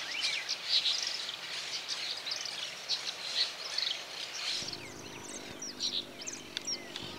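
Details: Brown-chested martins (Progne tapera) in Santa Fe, Argentina, 2023, giving busy, scratchy chirps and twitters, dense high notes packed together, over a steady hiss, with a low hum entering toward the end.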